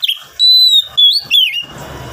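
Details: Oriental magpie-robin singing, a recording meant to coax wild-caught birds into song: three long clear whistled notes held steady, each slightly dipping at its end, followed by soft rustling noise.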